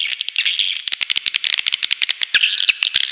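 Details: Swiftlet lure call: dense buzzy twittering chirps overlaid with rapid sharp clicks in irregular bursts, with a steady high chatter throughout.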